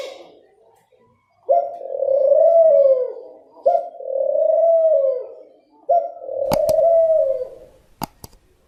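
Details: Three soft, sustained coos from a dove, evenly spaced about two seconds apart, followed by a few sharp clicks or taps near the end.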